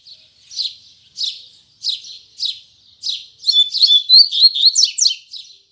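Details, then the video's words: Morning tui tui zel zel song of a Braddock double-collared seedeater: separate buzzy notes spaced about 0.6 seconds apart, then a fast, loud string of whistles and sharp chips. "Coleiro Braddock Abrindo Canto Tui Tui Zel Zel Firme Pela Manhã!!!"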